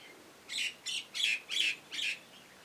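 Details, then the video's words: Common hill myna carrying nest material outside its cage; five harsh, broad squawking calls in quick succession over about two seconds, each a short rasping burst, against a quiet background. "burung jalak nias angkut sarang di luar kandang"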